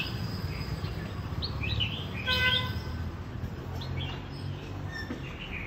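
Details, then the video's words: Red-whiskered bulbul, a newly rising fighting bird meeting other birds, gives scattered short whistled chirps and slurred notes, one louder burst near the middle, over a constant low hum of background noise. "Mang chiến binh mới nổi đi giao lưu với các bạn thật bất ngờ"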